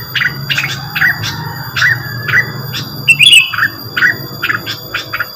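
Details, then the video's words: Lure song of the rengganis, short bright chirps in uneven bursts broken by a louder buzzy trill, over a low hum and steady electronic tones. "mantul suara pancingan burung rengganis"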